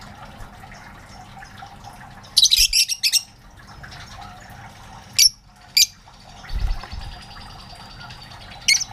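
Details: Lovebirds in a colony that grew from a single pair to many birds; loud harsh high squawks burst in clusters, several rapid notes together then scattered single shrieks, over a steady low background hum.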